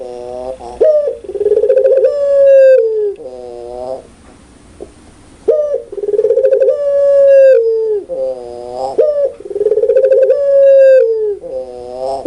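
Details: Puter pelung dove giving loud, clear coos, a repeated series of stretched, wavering mellow notes each lasting about two seconds, separated by short pauses.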